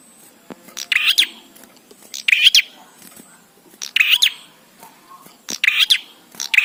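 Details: Bar-winged prinia song played to train birds and get them singing quickly; loud, scratchy chirping bursts about one second long, repeated roughly every one and a half seconds, over quiet background noise.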